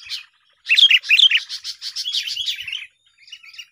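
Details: Sooty-headed bulbul calling during bird luring for trapping: loud, rich warbled phrases with bright twisting notes pour out for two seconds, followed by faint trailing chirps after a brief pause.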